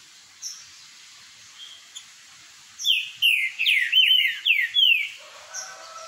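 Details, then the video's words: Green-winged saltator singing the boiadeiro song style in a singing dispute: after faint soft notes, a rapid run of loud, clear whistled phrases, each sliding downward, closes with fainter notes. "BOIADEIROS travando uma disputa boa"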